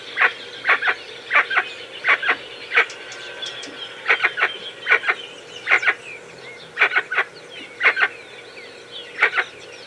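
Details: Jacu (guan) gives short, harsh clucking notes, often in quick pairs, repeated irregularly.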